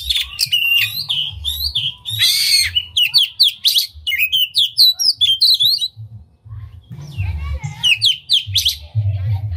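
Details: Tail-spreading oriental magpie-robin singing a distinctive song to provoke rival magpie-robins into singing. Dense, fast-changing sweet whistles, buzzy bursts and sharp chips run for several seconds, then a brief lull, then more varied phrases, with a low hum underneath.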